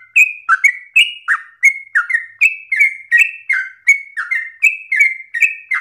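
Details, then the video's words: Yellow-vented bulbul delivering a long-winded, vigorous song described as the easiest pattern for other birds to imitate: loud whistled notes alternating high and low, each falling phrase followed by a brief gap, repeated evenly across the recording. "Trucukan gacor ropel ngotot nafas panjang ini cengkok paling gampang ditiru trucuk bahan"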